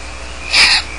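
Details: A young Barn owl at feeding time gives one short, harsh, breathy hiss of about a third of a second, the raspy begging sound of the young, over a faint steady background hum.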